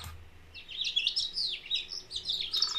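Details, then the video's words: House finch singing in early February at Holden Arboretum in the snowbelt with snow on the ground: a fast, jumbled warble of high, twisting notes run together without pause, ending on a buzzy slur. "the house finches were already singing"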